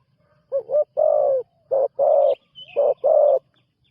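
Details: Spotted dove on its first training outing as a ground decoy, giving three loud low coo pairs, each a brief note followed by a sustained one, with a faint high chirp between.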